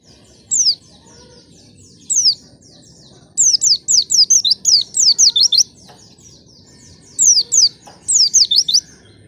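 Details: White-eye song used as a lure to get young, untrained white-eyes singing quickly: short bursts of high, fast, slurred whistled notes, each swooping down then up, grouped in quick runs with brief pauses between.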